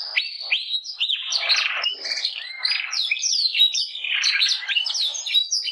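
A canary sings a long, unbroken run of bright, high notes: quick rising whistles, rolling trills and sweeping slides, with no other sounds.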